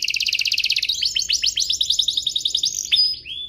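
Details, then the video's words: Domestic canary singing to teach young canaries: a fast high rattling trill flowing into quick downward slurs, ending with a few sharp whistled sweeps. "Suaranya MUDAH DITIRU, Efektif untuk Masteran Kenari Paud dan Pancingan kenari biar gacor"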